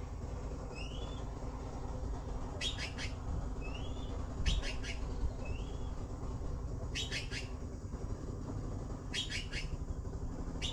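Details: Young blue magpies in the nest, waiting for a parent with food, call in rough raspy bursts of two to three pulses at irregular intervals, while soft upward whistles and a low droning hum continue behind.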